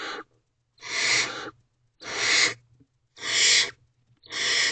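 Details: Wild barn owl owlet inside a nest box at night, 1:00 am on 5/1/23, begging for the adult female's attention with long breathy hissing screeches, each lasting under a second, repeated steadily about every 1.3 seconds.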